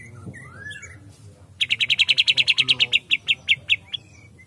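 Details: White-rumped shama singing while agitated: soft sliding whistles first, then a fast series of about twenty bright clipped notes at a steady mid-high pitch, slowing toward the end.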